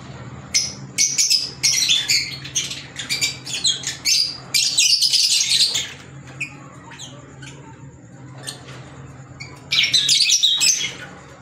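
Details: Pet green Fischer's lovebirds giving dense shrill squawking chatter in several bursts over a steady low electrical hum, with quieter scattered chirps between the louder outbursts.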